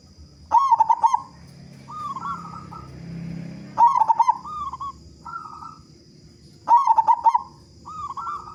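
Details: Loud local zebra dove song meant to get other perkutut singing quickly: three strong stuttering trilled coos about every three seconds, each trailed by softer hooked, upward-curling coos; faint steady high tone throughout.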